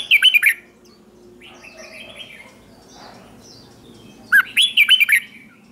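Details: Red-whiskered bulbul trained for contest singing, heard in the morning: a loud burst of bubbly, looping notes, a lull with faint far-off bird chirps, then a second lively warbled phrase.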